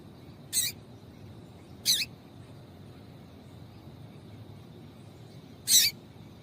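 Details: Female double-collared seedeater calling to stimulate males to sing: three short, sharp, high chirps, irregularly spaced over several seconds, with a quiet steady background.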